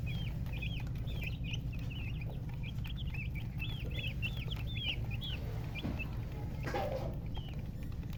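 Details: Young colour chickens chirp with a hen nearby: a busy run of high, down-curving peeps repeated several times a second, a brief rustle near the end, steady low rumble throughout.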